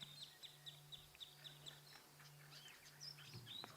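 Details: A Wood Sandpiper at a waterhole at sunset on 7 March 2017 alarm-calls at a Wahlberg's eagle with sharp, high notes in a quick, even series, about four a second, over a steady engine hum and scattered chirps.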